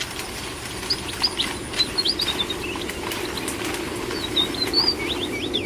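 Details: Red avadavats, also called strawberry finches, kept as captive birds: a busy run of short, high, slurred chirps and tweets from several birds, some rising and some falling, over a steady low background hum.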